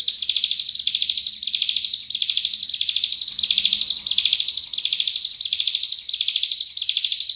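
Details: Continuous dense 'nembak rapat' song of a cigun, used as training material for murai, kacer and cucak ijo: shrill, rapid-fire pulsing trill, steady throughout, swelling and dipping in regular waves.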